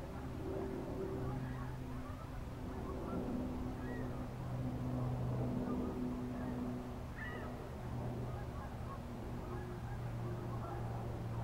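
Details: Two Canada geese on the Saint Lawrence River at Boucherville give scattered nasal honks over a steady low rumble that sounds like distant traffic.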